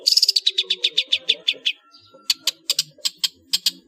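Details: Long-tailed shrike singing ngeplong full isian as a master for cage birds: a fast run of evenly spaced buzzy notes, a short pause, then further loud clipped notes in an uneven series.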